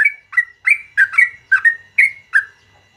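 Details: Morning song of a yellow-vented bulbul in its long rolling style: quick bright chirps, often doubled, tumbling at an uneven pace over three seconds, with a faint low rumble beneath.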